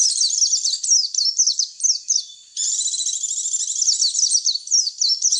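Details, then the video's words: White-eye (pleci) lure sound meant to draw the birds in, with dense high-pitched chattering twitters and quick chirps, a brief lull after two seconds, then a continuous busy stream of notes. "Suara pikat pleci"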